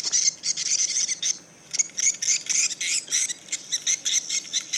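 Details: A large flock of swiftlets, many responding to a played distress sound, twitter in dense, buzzy bursts of high chirps, several overlapping in quick succession with brief pauses, like a crowd chattering.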